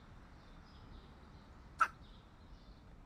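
A hooded crow gives one sharp, explosive sneeze, a quick puff of breath, against a low, steady background rumble.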